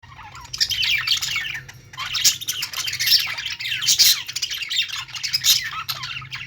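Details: Budgerigars chirping and singing: dense, overlapping chatter of high squeaky chirps and harsh squawks that comes in surging bursts about every one to two seconds, with a faint low hum underneath.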